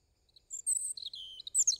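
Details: European robin song: high thin phrases opening with soft notes, then sustained whistles near the top of the range and a lower warbled run, ending in a bright descending flourish.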